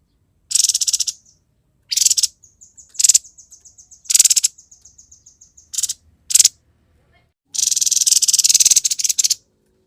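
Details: Busy Grey-headed babbler in konslet-style song: repeated harsh buzzy chatters interspersed with a series of thin high whistled pips, then a long rapid grating rattle near the end.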